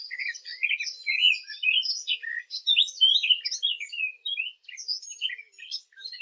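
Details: Fig bird, recorded as a hunting lure, giving a continuous, hurried warbling song of scratchy twitters and short whistles. It runs steadily for over six seconds with only brief gaps and no background noise.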